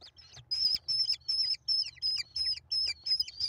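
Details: Five American kestrel chicks calling while being fed by their mother at a nest on 28 May 2021: rapid, repeated high squealing notes about three per second, each with a sharp downward-curving tail, steady and loud.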